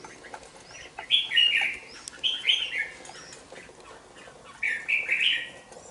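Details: Young caged red-whiskered bulbul, two months old, in a bổi-style cage, gives three short bright warbled phrases of two to three notes each, sliding down from high pitch, spaced about two seconds apart against a quiet background.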